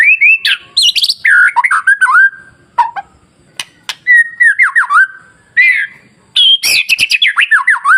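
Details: Masteran song of a white-rumped shama meant to stir other shamas into song: dense run of varied, sweeping whistled phrases, up-and-down slurs and rapid trills, with two brief pauses.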